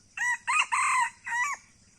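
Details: Red junglefowl from Aceh crowing: four bright harmonic syllables in about one and a half seconds, the first short, the middle two long and joined, the last falling away after a brief pause, with a faint hum beneath.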